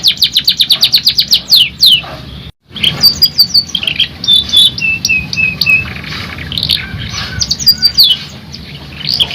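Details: Singing canary delivering rolling, shooting phrases: a rapid high trill, a short gap, then varied whistled notes and a series of descending level tones, ending in bright chirps.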